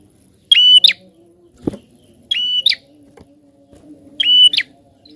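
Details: Lively prinia song meant to prompt other birds to sing, three loud ringing bursts, each a brief held tone broken by a quick twanging flick, spaced roughly every 1.8 seconds, with a knock and a faint hum beneath.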